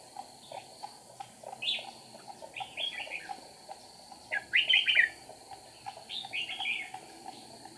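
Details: Red-whiskered bulbul acting as a trapping decoy, 8 April 2019, with lively wing and tail flicks: repeated bouncy whistled phrases of three to five notes, loudest near the middle, over a faint continuous hum.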